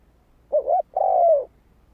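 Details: Spotted dove cooing as a lure for wild birds. A single phrase: a short doubled coo, then a longer, mellow note gliding downward, against quiet background.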